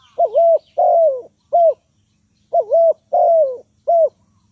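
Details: Spotted dove used as a decoy for trapping wild doves: clear, mellow cooing notes, each slightly bending in pitch, given in two matching phrases of three coos with a short pause between, nearly silent background.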